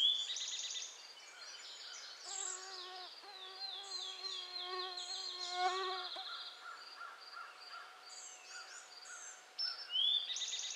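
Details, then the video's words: Michigan Cedar waxwing, recorded June 20, 2011, gives a high, thin, rapidly trilled call lasting several seconds over a steady low hum of buzzing mosquitoes. Other birds sing nearby, and a short rising whistle follows near the end. "Cedar Waxwing (Nature Sounds) Michigan - June 20, 2011"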